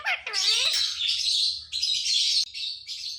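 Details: Screechy output from a talking ring-necked parakeet: a few sliding harsh notes, then sustained raspy, high screeching in three long bursts.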